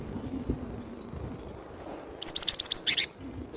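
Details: Cinereous tit (glatik batu) singing vigorously, used for luring birds: a quick run of about seven high, sharp rising whistled notes over a low background rumble.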